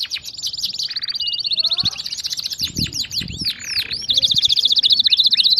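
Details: Canary singing continuously as a model for other canaries: fast buzzy trills, sweeping chirps and a short nasal tone, with a faint low murmur underneath and a closing rapid rattle.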